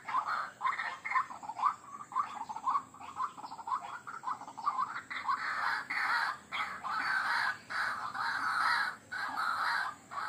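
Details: White-breasted waterhen lure sound: quick, clipped croaks at first, then broad, rasping, drawn-out bursts repeated about once a second, with steady background hiss.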